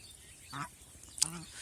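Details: A domestic goose on a goose farm in Mohanganj, Netrakona, gives two short, low, nasal honks about half a second apart, over a soft background hiss with a sharp click near the second call.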